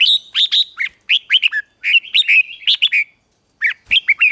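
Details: Red-whiskered bulbul singing during morning song training: loud, quick clusters of bright chirps and short slurred whistles, in bursts of three to five notes separated by brief pauses, ending after a half-second gap.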